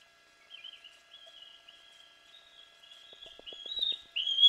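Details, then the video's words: Loud young fledgling bald eagle vocals at the Fraser Point nest, Santa Cruz Island, California, mid morning, June 24, 2024, as a fledgling flies across: a long, high, wavering chitter that grows louder into sharp piercing notes, with brief low knocks. "Fledgling "Reign" Returns to the Nest in 2 Hours! Fraser Point Bald Eagle Nest 2"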